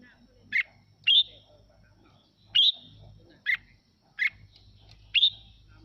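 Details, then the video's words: Red-whiskered bulbul singing in response to playback meant to stimulate it: short, bright, slurred whistled phrases, six spaced notes over about six seconds with pauses between them, over a low background hum. "Mào Mộc Hót Hay Kích Chim Hót Theo Để Lên Lửa"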